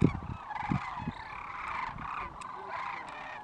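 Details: Sandhill cranes returning to their nesting area for a midday rest on January 25, 2014, give loud, rolling, trumpeting calls that run together almost without a break; low human voices talk over the start.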